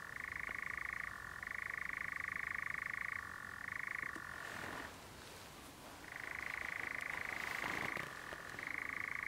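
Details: A European nightjar churring near dusk at Clumber: a long, dry mechanical churr shifting between two pitches, breaking off for about a second amid some rustling, then resuming.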